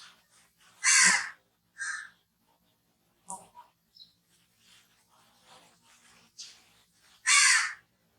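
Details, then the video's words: Crow calling with a few loud, hoarse caws spaced several seconds apart, mixed with softer shorter caw notes and quiet stretches between. "crow sounds"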